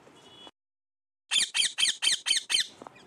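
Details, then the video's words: Pet parrot, said to be talking a lot, gives six harsh, high, downward-sweeping squawks in an even run, each about a third of a second apart, after a short burst of room noise and a silent gap. "my cute parrot talking so much"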